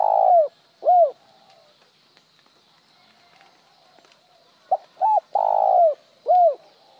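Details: Spotted dove cooing in the one-trailing-note style, at times plain. Low mellow coos: the end of one phrase with a closing note, a pause, then a short note, a double note, a long falling coo and a single trailing coo.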